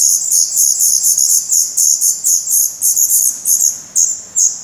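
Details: Nest of black redstart chicks in Portugal, May 2020, their eyes now open and tail feathers reddening. An insistent chorus of piercing, hissing begging calls throbs in rapid, uneven bursts, several per second.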